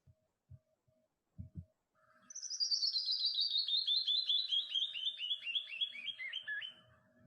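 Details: Canyon wren song: after a few low knocks, a long cascade of rapid repeated notes starting high and stepping steadily downward, swelling from quiet to loud and fading again, about five seconds long.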